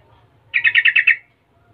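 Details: Yellow-vented bulbul singing energetically in the 'gacor latah' style, used to lure other bulbuls into replying. It gives one brief chuckling phrase of six rapid, liquid notes in quick succession, clean against a faint low background hum.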